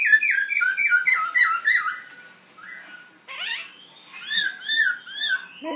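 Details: A young black throat learning to sing, heard in a small room: a series of clear, whistled, slurred notes, then a pause, then arched, rising-and-falling whistles repeated in quick succession.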